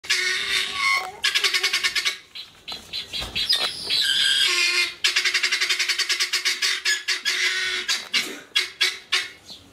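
Guineafowl giving harsh, rapid, rattling calls in fast repeated bursts, high and grating, with a steady hum underneath.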